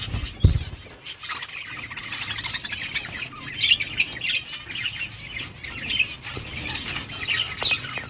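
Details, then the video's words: Colony of budgerigars, a knock at the start followed by steady layered chirping and warbled chatter from many birds, fairly distant. "Beautiful budgies birds flocks in budgies colony budgies parrot chirping sounds"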